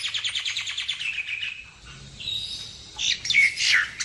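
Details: Common myna chatter for bird trapping: a fast, scratchy series of descending harsh notes, a soft pause, then loud gurgling whistles and a grating squawk.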